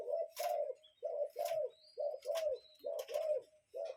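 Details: Cuckoo in a natural setting repeating a clear two-note hoot, the second note slightly longer, pairs coming roughly once a second, while thin whistles of other birds sound faintly above.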